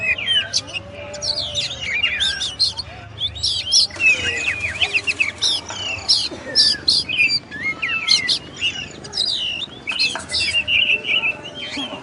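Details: Long master song of an oriental magpie-robin (kacer): repeated bursts of mixed whistles, rattles and mimicked-sounding chips with brief pauses, fairly steady volume across twelve seconds.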